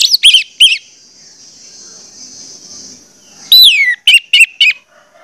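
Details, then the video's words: Orange-headed thrush singing to get other orange-headed thrushes to sing: a few sharp opening notes, a pause, then a long loud whistle falling in pitch followed by a rapid string of four short clipped notes. "pancingan anis merah bikin anis merah lain cepat ngeplong"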